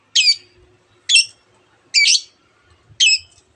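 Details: Long-tailed shrike giving four loud, harsh, squeaky notes about a second apart as part of its mimicking song, with faint low thumps behind.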